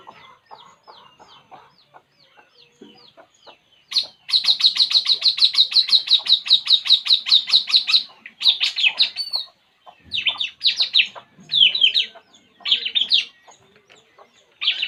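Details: Relaxing puling bird gives a long, fast run of high, even chirps for about four seconds, then breaks into separate short bursts of sharp, twittering notes with brief silences between them.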